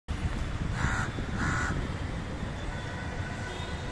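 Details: Indian house crow at a freshly built nest holding five eggs outside an apartment, giving two short, nasal caws in quick succession over a loud steady rumble of traffic noise.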